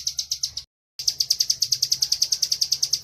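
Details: Bar-winged prinia, caged, singing the 'gacor ngebren' training song: a few quick high chirps, a short silence, then a fast even run of sharp repeated notes.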